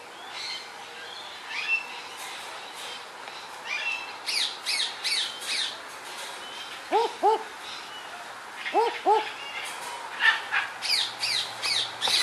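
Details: Rex, a captive barking owl at a bird sanctuary in Apple Tree Creek, Queensland, gives two doubled, dog-like 'wook-wook' barks, low and abrupt, amid busy high chirps and squawks from other birds.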